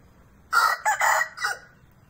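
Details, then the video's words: Domestic Aseel rooster crowing in the morning among hens during mating: a loud, rough crow broken into three bursts, the middle one longest, the last softer and falling away. "Aseel Rooster Crowing"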